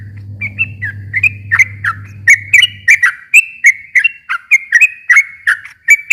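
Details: Sooty-headed bulbul singing, used to provoke a silent bird into answering. Rapid, irregular string of bright whistled and downslurred notes, a low hum fading out early.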